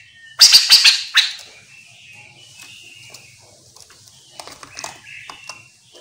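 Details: Chestnut-capped laughingthrush, played as a lure so other laughingthrushes reply; loud rasping, rapidly stuttered notes open the phrase, then softer scattered scratchy notes and faint buzzy twitters follow.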